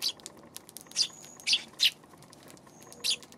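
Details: Eurasian tree sparrow on a March 31 afternoon giving short, sharp, bright chirps, four spaced notes in about three seconds against a quiet background.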